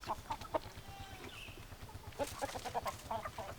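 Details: Several chickens cluck in short, sharp bursts, with a brief squawk near the middle and a quick flurry of clucks toward the end, over a steady low rhythmic hum.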